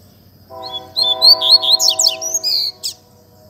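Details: Double-collared seedeater delivering fibra song, a quick series of high whistled slurs and sharp chips ending in a buzzy note. A steady, lower humming tone sounds underneath through most of the phrase.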